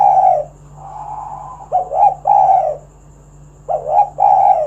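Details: Spotted dove, a recording used to lure other doves into singing: loud, low, hoarse coo phrases, each a short rising note joined to a longer rounded coo, separated by quieter sustained hums.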